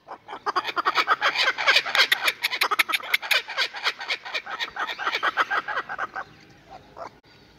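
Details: A pair of laughing kookaburras in a raucous, rapid cackling chorus of harsh repeated notes, rising and swelling, then tailing off after about six seconds.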